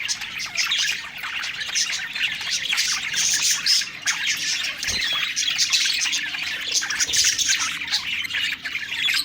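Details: Happy budgerigars chattering while they feed: rapid, scratchy warbling and short squawks layered over one another, with a single sharp click midway.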